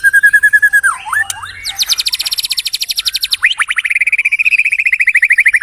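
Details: White-rumped shama in energetic song, varied and rich. It moves from a steady whistled note through swooping slurs to a high rapid trill, then a long sustained rattling trill. No other sounds.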